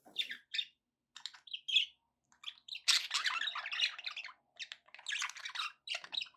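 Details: Pet budgerigars chattering indoors: scattered short chirps and squeaky notes, then a long busy stretch of overlapping warbles and scratchy twitters, with short silent gaps between bursts.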